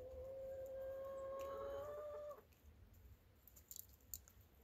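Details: Chicken holding one long, drawn-out tonal note for over two seconds, steady and slightly rising at the end, then breaking off into quiet with a few light clicks and taps.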